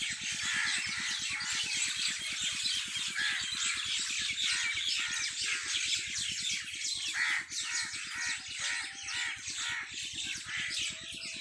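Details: Evening chorus of birds on a farm: overlapping chirps, trills and squawky notes fill the air nonstop, while a fast, even mechanical throb pulses underneath throughout.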